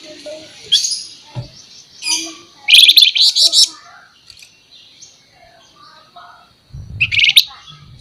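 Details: Flamboyan bird singing sharp 'nembak nyerecet' phrases: brief high chips leading into a loud cluster of rapid buzzy rattled notes, then a second harsh burst near the end, with faint low background noise.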